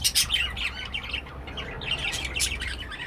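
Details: A pet cockatiel squawks in quick, raspy, buzzy bursts, loudest at the start and again near the end, with brief chirpy notes between.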